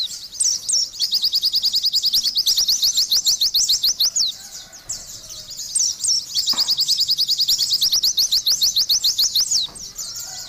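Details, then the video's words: Oriental white-eye in gacor song, two long bursts of rapid high chirps and twitters separated by a softer pause, with scattered swooping whistles within the runs. "TERAPI BURUNG PLECI"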